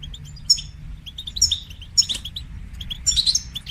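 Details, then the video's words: European goldfinch in bitbita and sitsita style song, meant as a training model for young goldfinches. Short bright twittering bursts repeat about once a second over a steady low hum. "تقنيات تحفيز طيور الحسون لتشجيع نجاحها في التغريد بتبتة وستستة"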